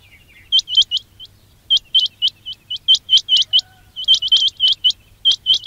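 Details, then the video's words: Quail call used as a trapping lure: quick bursts of short, high, sharply hooked chirps, two to five at a time with brief gaps, over a faint low hum. "quail batair ki awaz"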